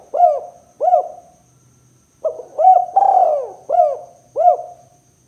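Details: Spotted dove (tekukur) calls used as a lure to attract and provoke other doves: a series of short, hollow coos, each with a quick rising-falling shape, given in two bursts separated by a pause.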